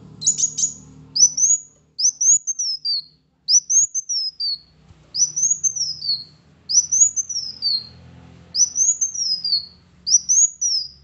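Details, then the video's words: Kolibri wulung sunbird song used to coax a reluctant bird into singing: a sharp high burst, then seven evenly spaced shrill notes, each climbing and sliding down, with soft low background hum. "PANCINGAN ampuh Kolibri Wulung MALAS Bunyi agar GACOR"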